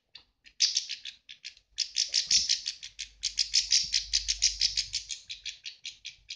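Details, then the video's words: Super-tame pet European goldfinch, angry or hungry while guarding its food, gives rapid, harsh, buzzy chattering notes, high-pitched and tumbling about three per second, with faint low background rumble. "Goldfinch is ANGRY!"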